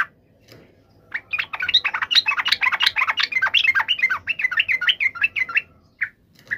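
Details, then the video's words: Agitated yellow-vented bulbul fighting call, used to make other bulbuls answer: one long, dense run of rapid, rising and falling bubbly notes for about four seconds, then two short, separate chirps over low background hum. "trucukan gacor CUK EMOSI NGALAS TARUNG ROPEL ini MENJADIKAN agar burung trucuk gacor NYAUT SEKETIKA"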